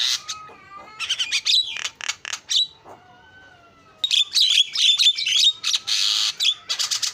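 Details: Starling lure song: a low whistled tone and squeaky chatter, a brief lull, then loud grating bursts and rapid clicking phrases.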